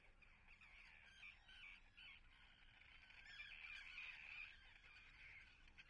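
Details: A nesting colony of common terns at Atlit, Israel, on 10 June 2010 keeps up a harsh, grating chorus of overlapping calls, about three a second, that swells louder midway with no pause.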